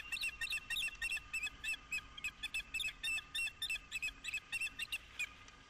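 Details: Osprey mating at Dunrovin Ranch, 11 April 2016: loud, rapid string of sharp piping chirps in quick clusters, slightly rough and insistent, over quiet steady noise.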